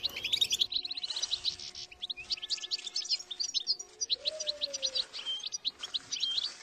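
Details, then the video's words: Goldfinch singing to motivate others: quick bright twitters and tinkling trills in bursts, with a soft low sliding tone near the middle and steady faint hum underneath. "La canción de motivación más fuerte hace que el jilguero cante sin interrupción."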